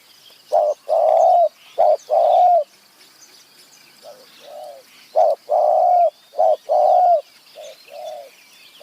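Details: Spotted dove calling on a high-mountain forest site during a two-day bird-trapping trip, cooing in deep, hollow, rolling two- or three-note phrases repeated in quick bursts; faint high chirps of other birds behind.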